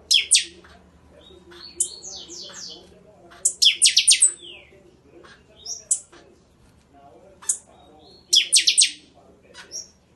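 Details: Buffy-fronted seedeater performing crackling Catatau phrases of the Chanchão song style: short sharp high chips and quick buzzy stuttered clusters separated by brief pauses, over a faint low hum.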